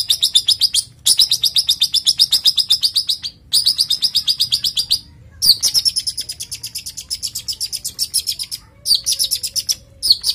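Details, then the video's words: Male long-tailed shrike in breeding condition, sung as lure and training material to stir a female. Rapid harsh chattering notes about four per second run in bursts of one to three seconds, separated by brief pauses. "Pancingan Suara Toet Dan Materi Cendet Jantan Birahi Bikin Yang Betina NGEPPA"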